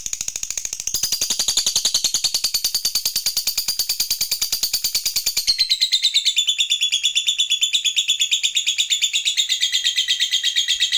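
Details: Lovebird song played to make other lovebirds sing: a long, fast, even chattering trill of high buzzy notes running for about eleven seconds, dropping slightly lower in pitch past the midpoint.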